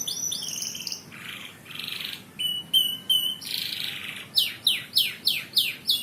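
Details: Canary singing in a fast varied sequence: high rolling notes, short buzzy rasps, clipped repeated whistles, then loud downward-sweeping notes repeated about every third of a second.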